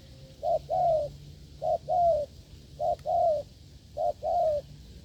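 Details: A wild spotted dove coos strongly during a decoy session. Four evenly spaced low phrases come about once a second, each a brief note followed by a longer, down-curving coo, over low background hum.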